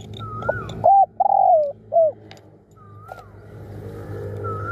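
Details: Spotted dove used as a decoy bird, calling fiercely and persistently: a short coo followed by a longer, drawn-out falling coo and a clipped final note, with faint slurred whistles from another bird before and after.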